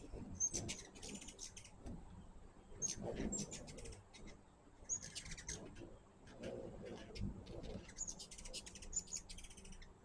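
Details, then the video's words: Hummingbirds at a feeder give bursts of very high, dry chittering chips, grouped in rapid clusters about every two to three seconds, with faint low rumbling background noise between bursts. "My first hummingbird video with natural sound."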